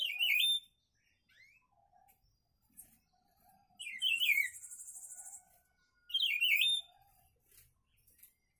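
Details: A friend's papa-pimenta repeats loud, fast, zigzagging high warbled phrases about every two to three seconds. One phrase runs into a long buzzy trill, with soft chirps between the phrases.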